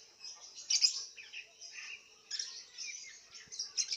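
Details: Lovebird entered in an online singing contest, Singkawang, West Kalimantan, caged; continuous high twittering and buzzy chatter with brief louder squeaks.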